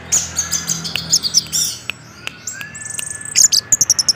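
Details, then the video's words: Orange-headed thrush in a non-stop 'gacor teler' lure song meant to set other thrushes singing: high, rapid chirps and trills, a long rising whistle mid-clip, then a quick run of sharp repeated notes toward the end. "ANIS MERAH Macet Bakalan Ikut NGeplong bahkan Teler Dengan Suara Ini"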